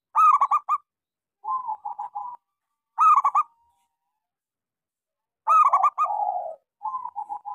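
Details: Zebra dove of local stock, active singer with a small voice, recorded as a lure to stimulate silent doves: repeated phrases of sharp, bubbling coos each followed by softer rolling trills, several phrases over a few seconds, quiet surroundings.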